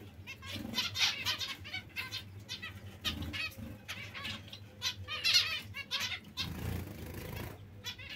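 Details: Zebra finches calling repeatedly with brief buzzy, nasal notes in uneven bursts, some louder ones standing out, against a constant low hum and occasional rustling.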